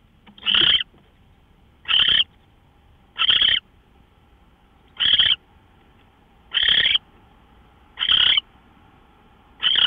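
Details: Owl at 5:27 AM on March 24, 2013, seen on a live owl camera, giving rasping hissy screeches spaced about every one and a half seconds, with a faint steady hum behind.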